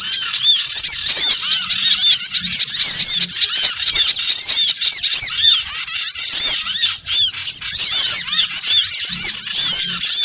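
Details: Small birds, a lure sound for trapping: a dense, unbroken chorus of high, thin chirps and squeaky twitters, many overlapping rising and falling notes with barely a pause throughout.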